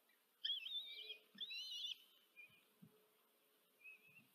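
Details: Common kestrel chicks, four in a nest, begging as the female feeds them, Tiszanagyfalu, Hungary, 14 July 2023, nest camera: two loud wavering, squealing calls in the first two seconds, then fainter short whines, plus soft low thumps.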